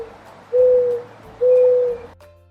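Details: Real mourning dove call in a children's listening game: two smooth, even, low coos about half a second long, one second apart, ending with a short musical sound.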